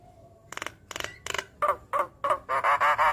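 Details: Javan myna calling as a lure for other mynas: clicking rasps in short clusters leading into loud nasal, honking notes repeated in quick rhythm.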